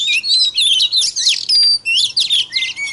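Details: Loud White-rumped shama song aimed at provoking other shamas, tightly packed bright whistles and rapid slurred phrases with a long steady whistled note midway.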